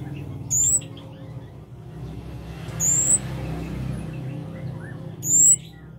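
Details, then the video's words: Scarlet-backed flowerpecker (kemade) singing briskly: three thin, high, slightly rising whistles at uneven intervals of about two to two and a half seconds, against a passing vehicle-like rumble and steady low hum. "Burung cabe cabean(kemade) Gacor"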